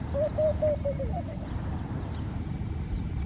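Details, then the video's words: Laughing dove song recorded in Al Rahmanya, Sharjah, United Arab Emirates: a quick sequence of six or seven mellow, bubbling coos that drift lower toward the end, followed by quiet background hum. "hearing the song of Singing Dove"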